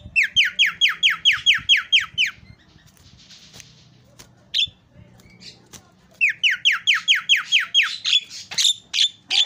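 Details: Javan myna in full isian (filler) song: two bursts of about a dozen loud, rapidly repeated upward-sweeping whistled notes, separated by a few seconds of near quiet with a brief hiss and a harsh note.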